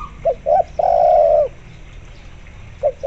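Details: Spotted dove singing energetically as a lure to get zebra doves calling. Two short low coos lead into a long, steady, drawn-out coo, and the next phrase begins at the end.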